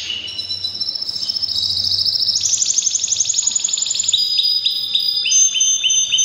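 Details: Canary singing powerfully in breeding season: a high, fast rolling trill that climbs in pitch, switches abruptly to a brighter rapid rattle, then ends in a series of quick downward-sliding whistled notes.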